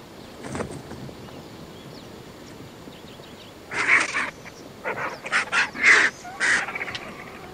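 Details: White-backed, Hooded and Lappet-faced Vultures fighting while feasting on a buffalo carcass on the Shingwedzi River banks, Kruger National Park: harsh, raspy hisses and grating bursts in quick, uneven succession.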